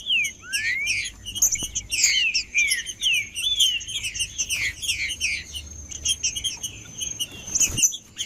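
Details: Captive green-winged saltator singing to rouse a cold, silent bird: a long run of quick downslurred whistled notes, densely layered and continuous, with a faint constant high-pitched tone beneath.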